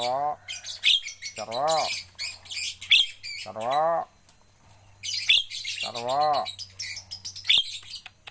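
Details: Javan myna under training to sing: four wavering, bending nasal squawks mixed with dense, hissing chatter bursts and sharp clicks, over a soft constant low hum.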